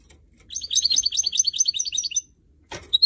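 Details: Goldfinch mule, a canary and goldfinch cross kept for singing, pours out a fast high twittering trill for almost two seconds, followed by a brief clattering rustle and a final sharp chirp.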